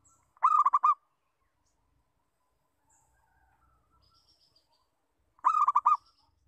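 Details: Local zebra dove giving its lure call: two short bursts about five seconds apart, each a quick rolling series of mellow, even-pitched cooing notes, with faint, thin chirps from other birds in the quiet gap.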